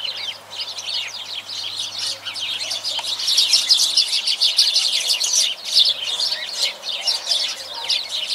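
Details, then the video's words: A lively chorus of sparrows, many birds chirping rapidly together in a steady, loud twittering that swells in the middle and stays dense throughout. "Świergot wróbli"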